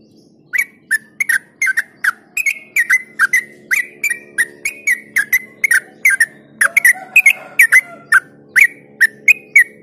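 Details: Long run of ropel-style song from a yellow-vented bulbul, used to get other bulbuls singing: nearly three chirps a second continue for ten seconds, briefly joined midway by a softer tangle of lower notes.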